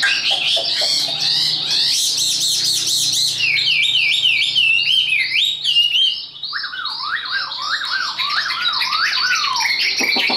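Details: Caged, tame Chinese hwamei singing high-pitched: a dense run of squeaky notes gives way to a chain of bright rising-and-falling whistled slurs, then a quick series of lower descending whistles.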